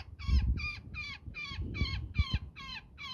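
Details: Woodpecker tangled in a net, screaming in distress as people free it; eight harsh, harmonic squawks in quick succession with low handling rumble beneath.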